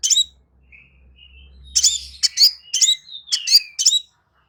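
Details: Crimson sunbird chirping, meant as therapy to bring a silent bird back into song: a quick burst of piercing high chirps and thin slurred notes, over a soft low rumble at the start.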